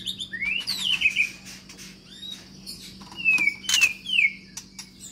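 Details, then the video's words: Medan-type long-tailed white-rumped shama, new to its keeper and housed in a flight cage, delivers high, thin sweeping whistles and sharp ticks between quieter gaps. "Senandung Kicau Murai Baru Medan Ekor Panjang Di Kandang Umbaran"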